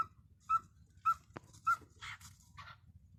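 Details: A happy cockatiel singing gives four short, clear mid-pitched whistles about every half second, then two harsher, scratchy chatter notes, with a faint low hum behind.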